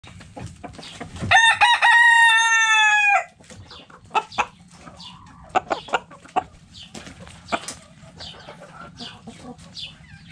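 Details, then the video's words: Backyard chickens in a coop: a rooster gives one loud, harmonic crow lasting about two seconds, rising then held and falling off. Scattered short hen clucks and soft clicks follow, with a low steady hum underneath. "Hens Clucking Roosters Crowing"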